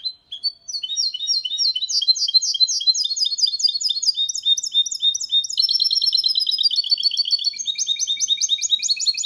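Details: Clean, error-free song of a goldfinch × canary mule from 2022, meant to encourage males to sing and help chicks memorise. Continuous bright twittering with quick chattering trills that shift pattern several times over nine seconds.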